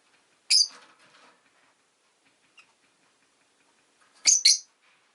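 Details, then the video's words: Rosy-faced lovebird chirping: a loud, harsh, shrill chirp near the start, then near-silence for about three and a half seconds before a sharp double chirp, the two notes close together. "Lovebird Chirping Sounds"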